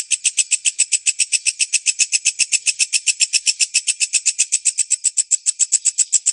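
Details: White-breasted woodswallow used as a lovebird training recording: rapid, evenly spaced high chattering pulses, roughly seven per second, steady in pitch and loudness throughout.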